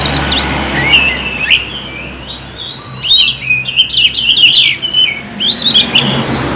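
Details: Lure song from an Oriental magpie-robin, played to stimulate birds to sing: sharp whistles and quick chirping notes in clustered bursts, separated by a quieter pause.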